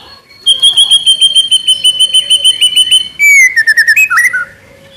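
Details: Juvenile white-rumped shama singing vigorously, with a long steady series of rapid high whistled notes repeated about three times a second, then a quick descending run of warbled whistles.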